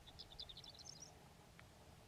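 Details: Singing horned lark on Antelope Island, warm sunny spring day: a rapid series of high, thin, sparkling chips and twitters rising in pitch over about a second, with a low steady background hum.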